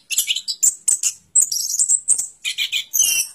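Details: Orange-headed thrush giving short bursts of sharp, high chips and buzzy notes separated by brief pauses, against a quiet, clean background.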